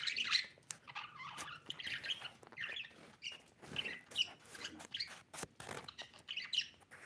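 A budgerigar chirps in quick, scratchy bursts of high warbling notes.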